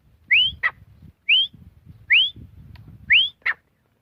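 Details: Grey francolin (desi teetar) call: loud rising whistled notes repeated about once a second, each followed by a short sharp clipped note, making a steady ringing pattern over faint low background noise.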